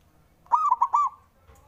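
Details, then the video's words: Single song phrase of a local male zebra dove used to provoke rivals: a quick run of four soft, rolling coos, the last drawn out and fading. "SUARANYA🔊 LAGI BANYAK DI CARI UNTUK PENDOBRAK LAWAN JADI EMOSI! BIKIN NYAUT"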